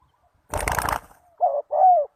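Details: A loud burst of flapping wings, then a spotted dove's lure call for wild doves: one short coo and a longer falling hoot, mellow and clear.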